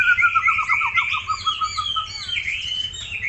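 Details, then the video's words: Aceh white-rumped shama, a quick rhythmic series of short dipping whistles about four per second, overlaid by higher sustained warbling tones, with low background hum. "MURAI BATU SUPER GACOR"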